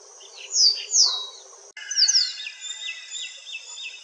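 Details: White-browed wagtail calling in India: two loud, sharp, high downslurred notes, then a quick pair of similar notes followed by a run of softer, faint repeated chirps.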